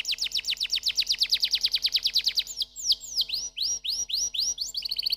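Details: Canary singing a long tour of rapid downslurred notes, about eight per second, that switches to slower rising upsweeps and ends in a quick high rattle.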